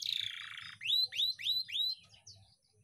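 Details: Canary song from a recording used to train young canaries: a falling buzzy note, then four ringing upswept whistles in a row, ending in softer high twitters.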